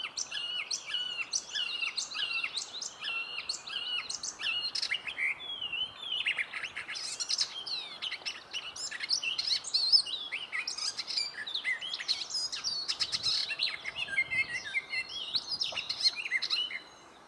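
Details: Icterine warbler singing in a birch grove: a fast, varied, continuous stream of high chattering, whistled and buzzy notes with harsh clicks and mimicry-like phrases, rarely pausing, in quiet surroundings.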